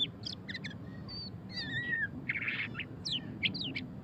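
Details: Murai batu pastol (white-rumped shama) in ngeriwik song: bursts of fast chirps, a long sliding whistle, a harsh buzzy note, then rising twisted whistles, with background hum.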